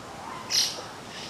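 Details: Young white-cheeked starlings mixed with adults at a stream garden in Aoba-no-mori Park on 10 June 2015; one gives a single short, harsh, scratchy call, high and noisy, over a faint steady background hiss.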